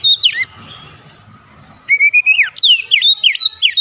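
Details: White-rumped shama song used as a lure to provoke other shamas to sing: loud whistled notes, a sharp falling sweep, a pause with faint low background noise, then a run of rapid rising and falling whistled phrases.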